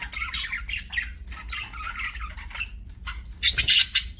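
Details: Pet budgerigar chirping: a run of bright, scratchy warbled chirps that ends in a louder, harsher burst of chatter.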